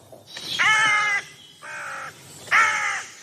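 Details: Carrion crow in a forest, recorded for an acoustic wildlife inventory of forests, with many robins about at this season, gives three harsh, rasping caws about a second apart, the middle one shorter and softer, over a quiet woodland background.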